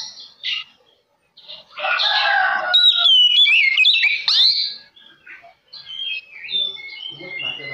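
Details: Oriental magpie-robin singing a lure song to provoke rivals: a brief note, a pause, a harsh rasping burst, then bright rapid whistled trills, followed by quieter scattered notes.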